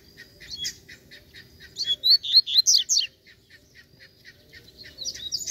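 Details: Wild free-flying fibrado Double-collared Seedeater, said to be aggressive and ready to fight, gives clipped high chirps that build into a loud burst of fast, slurred whistles, then a quiet pause and a fresh start.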